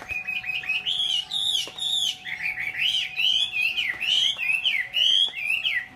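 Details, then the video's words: Chinese hwamei, a kept songbird in Vietnam, singing a loud, continuous run of rich whistled phrases that slide up and down, with rapid repeated notes and a steady faint hum underneath. "chim mi"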